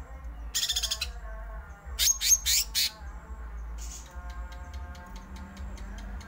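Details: Greater green leafbird singing 'ngerol' style, a fast rolling song: a rasping burst, then a cluster of loud buzzy notes, then a trail of soft rapid clicks and ticks over a low background hum.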